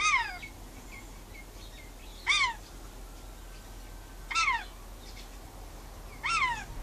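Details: On a verandah, a pet rainbow lorikeet talks to wild birds outside, giving four strong descending calls about two seconds apart, each a bright falling note rich in overtones, plus faint chirps between them over low background noise.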